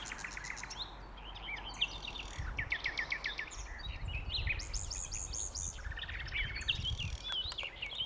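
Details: On Westleton Common on 8 May 2025 a common nightingale sings varied phrases: rapid repeated note bursts, rising and falling whistles and chattering trills, set against low background noise.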